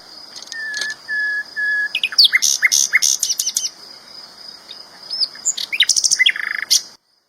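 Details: A common nightingale sings three drawn-out, level whistles, then bursts into rapid trills and sharp, varied chattering notes, over a steady high-pitched hum.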